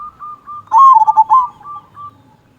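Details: Local zebra dove, a frequent singer with a big "kung" voice, used to coax other doves into singing: soft, evenly spaced coos lead into one short, loud, rolling burst of cooing, then fade to faint notes.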